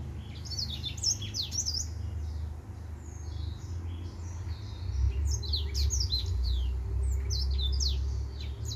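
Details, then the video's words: Singing male white tip finch delivers rapid bursts of high, sharp chirps and down-slurred whistles in two busy phrases separated by a brief pause, with a low droning hum underneath. "White Tip Finch"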